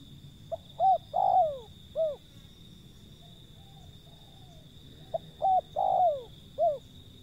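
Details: Calling wild zebra dove: two quick notes, a long coo sliding downward and a short final note, the whole phrase given twice with a faint low murmur between, against a steady high tone.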